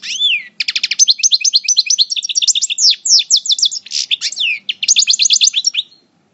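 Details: European goldfinch of the Parva subspecies, a coupleur in moult, from El Bordj: fast twittering song of rapid high chirps and trills, nearly continuous for about five seconds, opening with a rising whistled note.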